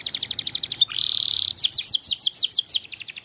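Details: White canary singing in lively full voice: fast repeated high chirps, a sustained buzzy trill, then a run of quick descending whistled notes, all bright and high-pitched.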